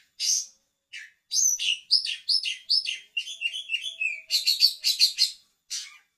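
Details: A trained Oriental magpie-robin (kacer), a contest songbird, sings a rich, fast run of varied whistles, chattering trills and sharp high notes, phrases tumbling after one another with few pauses.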